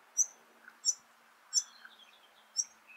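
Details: Two fledgling White-plumed Honeyeaters at Laratinga Wetlands, South Australia, 9 January 2021, give sharp, very high chips roughly every second over soft hiss; call rate rises when adults arrive with food.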